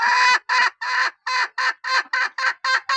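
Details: Hen praised for strong calling utters ten loud, full-toned, harmonic calls, each about a quarter second long, in a steady rhythm of roughly three per second.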